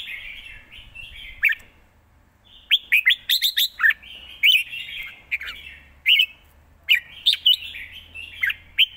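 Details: Red-whiskered bulbul singing quick, well-phrased song: a soft continuous warble, then crisp, bouncy whistled notes in rapid strings of three to five, repeated after short pauses.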